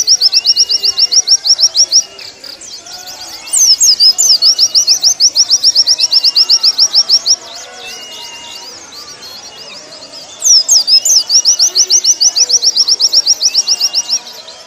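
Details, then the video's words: Warbling white-eye song recorded as a training recording for caged birds: bursts of rapid, high, evenly repeated chirped notes in fast trills lasting two to four seconds, separated by quieter twittering with other faint birds beneath. "Masteran pleci paling ampuh"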